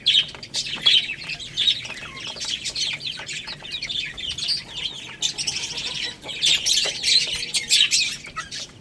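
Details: A group of baby chickens eating rice twitter in high, overlapping chirps, with louder clusters near the start and end and faint tapping in between.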